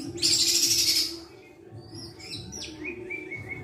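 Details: Caged white-rumped shama, hand-raised from a chick, sings a sweet song: a loud buzzy high burst, then a quieter run of whistled notes sliding downward and settling into a repeated steady tone.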